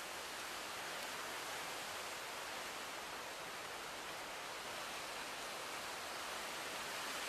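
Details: Steady broadband rushing like falling water or heavy rain fills the recording, with no animal sounds.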